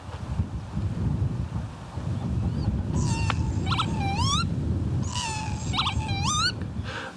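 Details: Northern lapwing, or peewit, over Gisborough Moor, spiralling down and swooping; wheezy, rising, slurred 'pee-wit' calls in two bouts, each with a quick stutter before a long upward-sweeping note, against strong wind rumble.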